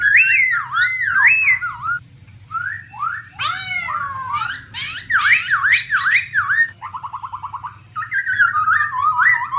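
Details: Female black laughingthrush with a male singing 'ro ro', meant to spur other birds to sing; rapid wavering zigzag whistles, harsh bursts and a quick buzzy trill, almost continuous, with a low background hum.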